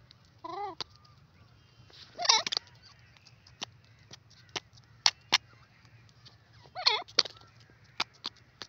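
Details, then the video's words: Francolin (teetar) calling in a forest: three loud, wavering, harmonic-rich calls a few seconds apart, each under half a second, with sharp dry clicks scattered between them. "beautiful sound of teeter awaz pheasant in the fores"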